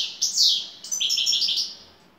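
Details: European goldfinch from Turkey, a top-class bird in şakşaklı song style: a brief high sweeping note followed by a quick series of bright, chattering twitters.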